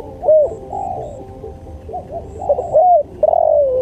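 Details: Spotted dove song for training and luring: a loud rounded coo and a long falling coo, then quieter coos, then a stuttered series of notes into a final drawn-out descending coo, with a background hum.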